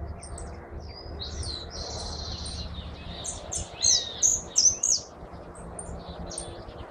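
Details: Hooded siskin, known as jilguero argentino, singing a rambling high twitter of buzzy phrases that builds into several loud, sharp chirps, then fades to faint notes, over a low hum.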